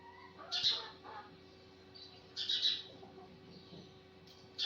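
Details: Sparrow chirping in the morning: two short bursts of bright, high chirps about two seconds apart, then a softer chirp and a final sharp note, over a quiet background hum.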